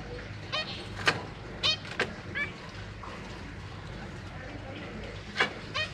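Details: Captive zebra finches, two adults raising three juveniles and three new babies: crisp tinny honking beeps in loose pairs and singles, a few loud bursts, with low rumbling room noise beneath.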